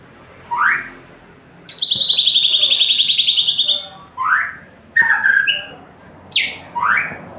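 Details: Loud song of a white-rumped shama: single upslurred whistles spaced about a second apart, broken by a sustained rapid buzzy trill lasting over two seconds, with faint background hiss.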